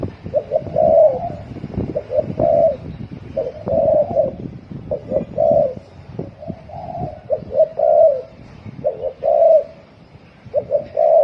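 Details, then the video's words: Spotted dove giving fast 'thổ còi' cooing: repeated phrases of short hollow hoots ending in a drawn coo, roughly every one and a half seconds, over a low rumbling background. "Tiếng chim cu gáy thổ còi tốc độ gáy cực nhanh"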